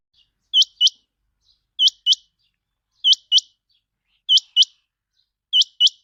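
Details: Quail call used to lure quail: clean, bright paired notes sweeping sharply upward. Five couplets are spaced evenly about 1.25 seconds apart in near silence.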